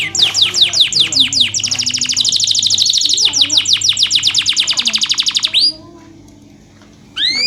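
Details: Gacor canary song meant to teach canaries that seldom sing: falling slurred notes, then a fast dense trill and more descending notes, a short pause, and a rising whistle at the end; faint background hum.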